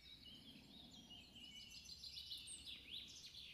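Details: A Red-breasted flycatcher sings at Schoonloo, Netherlands, on 27 May 2015: thin, high repeated notes at a quick pace, ending in brighter sweeping phrases, over a steady low background hum.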